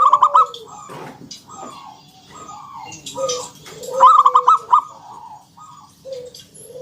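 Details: Lure recording of a vigorous local wild zebra dove, ngalun kung bulat style, meant to set other doves singing; strong rapid stuttered trills mixed with drawn-out mid-pitched coos, with faint chirps of other small birds behind.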